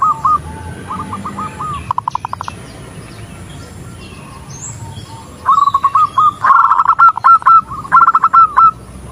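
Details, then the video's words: Zebra dove hen calling a male: faint, scattered coos, then from midway repeated loud bursts of rapid staccato notes, each phrase a chattering roll with brief gaps between. "Suara perkutut betina memanggil perkutut jantan"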